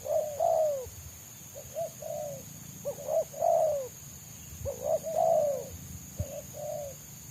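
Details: Spotted dove in the wild, a fast, close-spaced selang nguku singer coveted by trappers: groups of hollow low coos with stretched, downward-sliding notes, separated by short pauses, with a thin steady electrical-like tone in the background.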